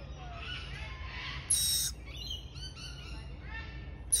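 A young lorikeet gives scratchy, buzzy chirps in short bursts, several harsh notes packed into a few seconds over a low background hum.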